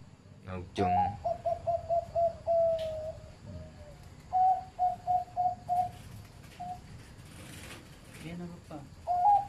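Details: Zebra dove with a medium-pitched voice, a farm-bred bird, giving rapid bursts of short, clear, rolling coo notes at steady mid pitch, one run of about eight beats, a pause, then another run, ending with a fresh burst.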